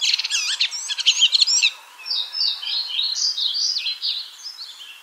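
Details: Red-throated thrush (Turdus ruficollis) singing in nature: a burst of dense, buzzy chattering notes, then a series of slurred, whistled phrases that rise and fall, spaced a little apart, with no other clear sounds.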